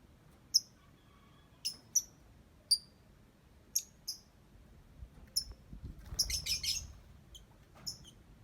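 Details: Lovebird giving ngetik song, a series of short, sharp high chirps spaced about a second apart, then a brief cluster of rapid ticking notes near the end.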